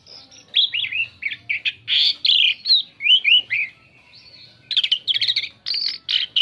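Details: Varied song of the Asian pied starling, played to attract other birds: chattering run of slurred whistles and scratchy notes, a pause, then a fast burst of clicking, buzzy syllables.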